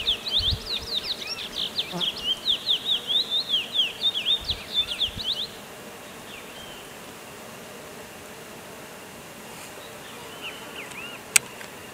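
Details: Curió, the chestnut-bellied seed-finch, delivering a loud rapid warble of bright, looping whistled notes for about five seconds, then near silence with a few soft distant notes and a single sharp click.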